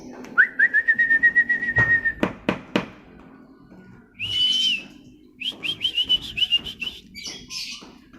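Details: White-rumped shama song: a long, slightly wavering whistled trill, a few sharp clicks, then a higher buzzy note and a string of rapid repeated bright notes.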